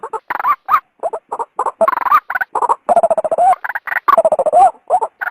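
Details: Sound of a female white-breasted waterhen meant to lure the male from its habitat: continuous, noisy chatter of grating croaks and grunts, with rising squawks scattered through the fast bursts.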